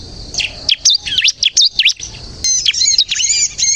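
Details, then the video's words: Bar-winged prinia (ciblek kristal) singing hard, meant as a lure and song prompt: a few spaced, sharp high chirps, then a rapid, tangled twittering run with thin overlapping notes. "suara burung ciblek kristal gacor untuk pikat dan pancingan ciblek bahan agar bunyi"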